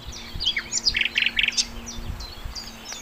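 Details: Sikatan londo flycatcher in lively master-recording song for training songbirds: high thin chirps and slurred whistles, with three quick buzzy trills in the middle, over faint low background hum.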